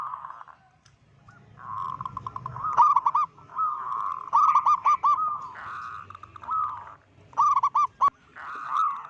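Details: Local zebra dove, said to be vocal and loud-voiced, calling to unsettle other zebra doves: nearly continuous chain of bubbling, trilled coos with sharp clipped stutters, over a soft low background murmur.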